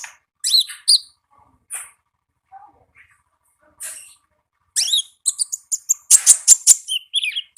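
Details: Olive-backed sunbird from the wild in gacor ngalas song: scattered high squeaky chirps, then an accelerating series of sharp ticks, roughly two or three per second, near the end.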